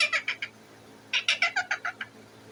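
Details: Parrot perched on its cage calling to be fed, giving two bursts of rapid harsh, raspy squawks, about four to seven notes per burst, in a small room.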